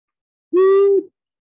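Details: Long-eared Owl gives a single low, steady hoot about half a second long, even in pitch, on a silent background; its single-note call could be confused with a Great Horned Owl.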